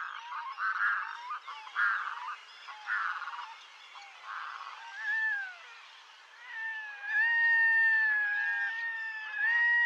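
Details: Red-throated diver with a run of harsh cackling bursts about once a second, then smooth drawn-out cat-like wails overlapping.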